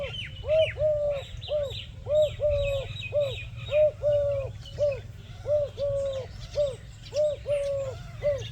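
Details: Dove sitting peacefully in a village, eating grains and making soft sounds. Mellow, low cooing notes with small upward swoops repeat steadily, nearly one per half second, mixed with thin higher chirps from other birds.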